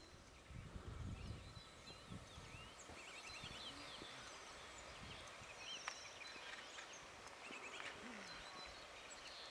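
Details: Several Bohemian waxwings (Bombycilla garrulus) calling at Vozokany, Topoľčany, Slovakia: high, thin trilled notes overlapping in a soft chorus over steady low rumble and wind.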